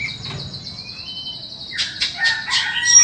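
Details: White-rumped shama offered for sale: a long, thin, steady high whistle, then a short rising whistle, followed by a burst of buzzy, harsher repeated notes.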